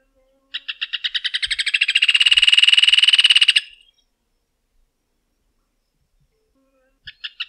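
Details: Rufous hornero song: spaced notes quicken into a loud, rolling trill lasting about three seconds, followed by silence and the start of another accelerating series.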